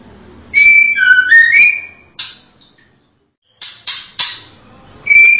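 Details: A female white-rumped shama whistles a bright, wavering phrase of clear notes, followed by a gap and several sharp clicking bursts before another whistle begins.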